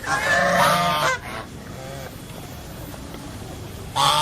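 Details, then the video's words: A goose gives one long, loud, raspy honk lasting about a second. A short quieter grunt follows, then near-silence, and a second loud honk begins at the very end. "Funny GEESE SOUND / Suara Binatang Lucu ANGSA Soang"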